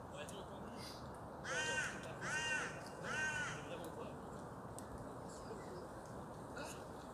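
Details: Parakeet giving three harsh, raspy squawks with stacked harmonics, spaced under a second apart, then falling silent against a steady hiss of outdoor background noise.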